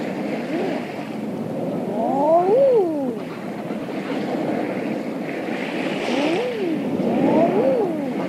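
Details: Several eiders calling on open water offshore, late spring evening: overlapping swooping cooing notes, rising and falling, in clusters, with waves breaking steadily beneath.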